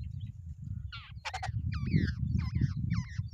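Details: At the nest, two wild babblers give a quick series of nasal, bent notes repeated about four times a second, with a constant low rumble underneath.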